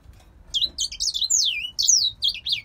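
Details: Pet grey singer finch from a Polish breeder pouring out a continuous string of bright, descending and rising whistles, the notes sliding quickly from very high to mid pitch.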